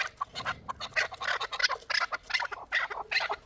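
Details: Young chukar partridge from Shurobod, Tajikistan, hatched the previous year. Rough, clucking chuck notes come in an uneven series, a little faint and harsh, over quiet background noise.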